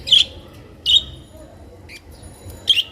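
Budgerigar giving three short, sharp chirps high in pitch, spaced about a second apart, with faint twittering between and a low background hum.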